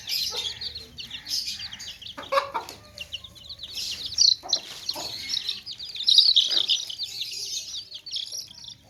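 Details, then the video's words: Many baby chicks chirping in a basket (tokri): dense high, rapid peeping calls overlapping continuously, with a few lower clucks from hens and brief soft knocks. "Baby Chicks Chirping Sounds In Tokri | Chicken's Chicks Sounds and Chickens Clucking Sounds"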